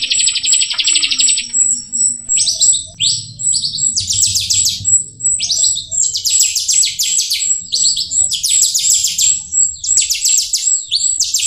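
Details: Chattering song of a jalak rio myna, meant as master song for songbird training: a short buzzy run, then repeated bursts of fast descending scratchy notes broken by brief pauses, with a steady high whistle behind.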